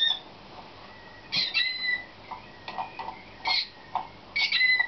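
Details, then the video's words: Canaries of the slavujar (nightingale-type) song style, selected for competition and in training, 2013: sparse bursts of clear whistled notes and short chirps separated by pauses, a few held tones at the end. "CANAR SLAVUJAR"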